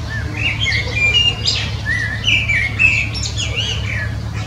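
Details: A common blackbird delivers rich, flute-like warbled phrases, several short descending notes followed by high squeaky flourishes, with a constant low mechanical hum in the background.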